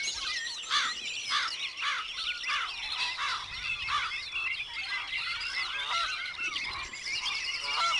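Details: Wood duck calling: a steady series of loud, squealing notes repeated about twice a second, each sweeping through a mid-to-high pitch, over a dense background chorus of small birds chirping and twittering.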